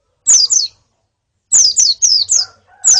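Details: Female and colony calls of white-eyes, played to train a male's song: high thin descending whistled notes in pairs, then a run of four, each sliding down, with a faint low rumble beneath.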